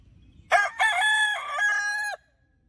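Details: Loud, close crow of a cock-fighting rooster on a rural farm, 2020: a strong harsh call opening with a brief syllable, followed by a long steady drawn-out note of about a second and a half ending sharply.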